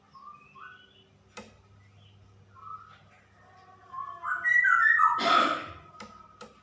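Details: Female straw-headed bulbul, 'ropel' singing style: scattered short whistled notes and clicks, then a swelling burst of rich, gurgling fluty phrases, ending in a brief sustained note.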